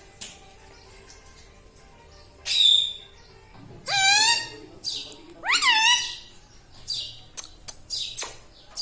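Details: Pet Indian ringneck parakeet known for talking, laughing: a falling whistled squeal, then two loud, rich, descending then rising calls, followed by quick quiet clicks and chirps.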